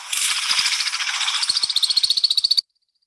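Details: American woodcock wing twittering during its aerial display as it climbs high until vanishing from sight: a rapid, high, silvery chittering that settles into even pulses about four per second, then cuts off abruptly.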